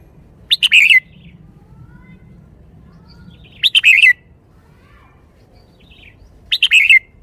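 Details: Red-whiskered bulbul singing in the 'khayao khuat' (bottle-shaking) style, repeating a short chirpy warbled phrase three times about every three seconds, each with clipped rising notes ending in a liquid slurred whistle, over soft low background noise.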